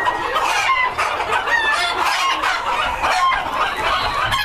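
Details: White Silkie Bantam bearded chickens in a breeder flock, several birds calling together: dense overlapping clucks and short squawks with a few brief whistled notes, steady busy chatter throughout with no pauses.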